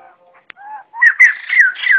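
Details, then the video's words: White-crested laughingthrush calling the flock, in a clean recording made for bird trapping and training. Faint low notes give way to loud, slurred whistles that rise and fall in quick succession. "Tiếng Bồ Chao (Khướu Đầu Trắng) Gọi Bầy Không Tạp Âm"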